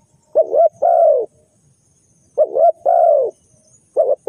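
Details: Spotted dove calling, a sound used as a lure for bird trapping: a quick double coo followed by a longer drawn-out coo, the phrase repeated about every two seconds with quiet gaps between.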